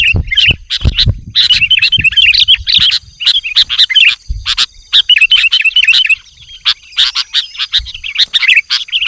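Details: Lively sooty-headed bulbul calling to wild bulbuls, rapid runs of bubbly whistled notes strung into longer phrases, interspersed with harsh chips and a few low thumps.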